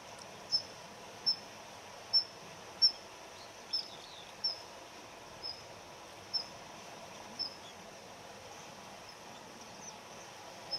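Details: Daurian redstart ground calls, male and female, from a winter bird of residential gardens that holds territory. A run of about a dozen high, thin whistled pips repeats roughly every 0.7 to 1 second, slowing toward the end, over soft hiss.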